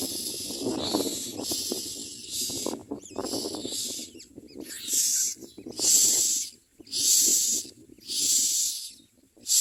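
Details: Common myna nestlings screaming for food as they are fed. Hoarse, hissing shrieks repeat about once a second and grow louder and cleaner toward the end, with rustling underneath early on.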